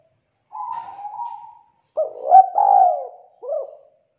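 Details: Young wild-caught spotted dove with a loud, thick, melodious "kuk 2" song. A quiet drawn-out coo is followed after a pause by a stronger double-noted rolling coo and a short closing coo. The background is silent.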